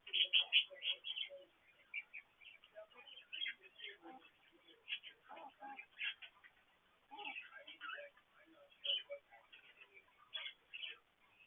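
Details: Pet parakeets going about morning activities beside a water fountain, heard through an indoor petcam: continuous busy warble of chirps, clicks and squeaky notes, louder calls at the start and scattered through.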